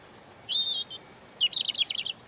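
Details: European robin in gentle song: a clear high whistled phrase, a brief pause and a thin high note, then a fast jumbled run of sparkling notes.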